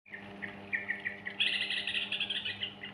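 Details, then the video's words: Yellow-vented bulbul, recorded as a lure to get young birds singing: soft scattered chirps, then a denser burst of bright, rapid chattering notes, with a steady low hum underneath. "Pancingan Anakan Burung Trucukan Gacor Ropel"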